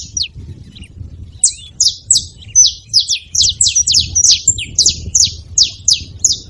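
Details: A saffron finch making noise at a feeding spot: one chirp, a short pause, then a steady series of high, sharp descending chirps about three per second, over a low background rumble.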